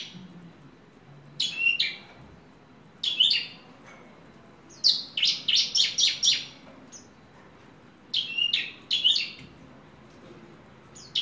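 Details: Horsfield's bush lark, ringed and kept as a hobby bird, delivers clustered bursts of high, scratchy chirps, including a fast stuttering run of six notes midway, separated by short silences.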